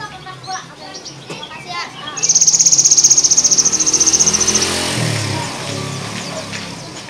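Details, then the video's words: Kept Javan sparrow in the afternoon with its strange trrrrr sound: a long, fast, evenly pulsed high trill of about two and a half seconds, preceded and followed by softer chirps and background murmur. "glawing sigembul isian trrrrrrrr sore hari"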